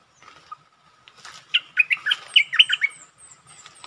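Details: Bulbul used as a lure, testing the territory holder, delivers one rapid run of warbled, bouncing notes of about eight syllables, with softer high chirps trailing afterwards.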